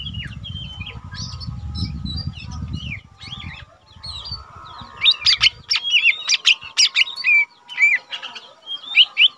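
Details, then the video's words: Caged lesser green leafbird, an untrained but eager singer, used to tutor cage birds. Soft scattered whistles over low rumbling noise at first. After about five seconds, loud quick chattering whistles and sharp notes follow. "cucak ijo mini bahan udah rajin bunyi"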